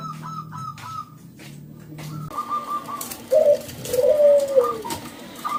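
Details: Local zebra dove singing to coax other doves into song: faint high notes over a low hum, then two strong, deep, drawn-out coos, the second curving downward.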